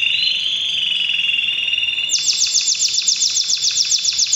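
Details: During breeding season, a canary sings a bright, high rolling trill for two seconds, then switches to a fast series of sharp, sweeping notes, about six each second.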